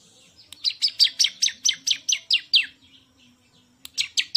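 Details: High, sharp notes from a champion bar-winged prinia come in a rhythmic string of about a dozen chirps, then silence before three more begin.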